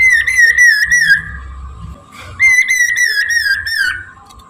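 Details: Morning song of a Chinese hwamei used for luring birds: strong, harmonic whistles in quick wavering sequences, two phrases separated by a short pause, over a constant low hum and faint rumble.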